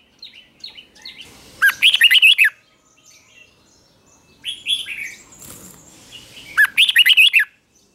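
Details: Red-whiskered bulbul singing competitively during morning training, meant to excite other birds: a few soft chirps lead into a loud fluty warbled phrase, a brief rising call, then another similar rollicking phrase.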